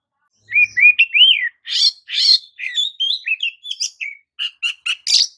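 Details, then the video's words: Oriental magpie-robin song meant to provoke rival magpie-robins into excitement: opens with a few clear rising whistles, then slurred notes give way to rapid buzzy chips and sharp high notes in quick series. "JENIS KICAU KACER TERAMPUH JADIKAN KACER AMAPAT LANGSUNG TERPIKAT EMOSI!"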